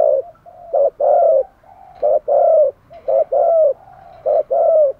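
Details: Decoy spotted dove calling to wild doves, with steady series of deep coos in short-long pairs, about one pair per second, the longer note slightly falling.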